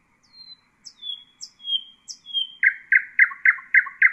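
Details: Husseini nightingale song for chick training: four descending whistled notes with sharp attacks, then six strong, evenly repeated notes at a steady quick pace.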